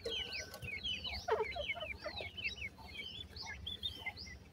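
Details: Several grey francolin (bhura teetar) chicks call together: a dense chorus of sharp, high, falling peeps repeated rapidly throughout, plus a brief lower, harsher chirp sequence in the middle.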